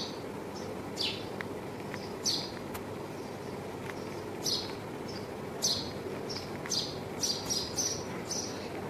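A house sparrow gives about a dozen short, bright chirps at an uneven pace, some doubled, over a steady low rumble of traffic.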